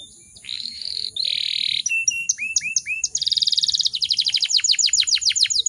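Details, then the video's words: Female canary in breeding condition, singing as a lure that makes other canaries sing. Two long buzzy notes, then three rising slurred whistles, then a dense trill breaking into fast, repeated descending chirps. "PANCINGAN KENARI BAHAN AGAR CEPAT GACORR"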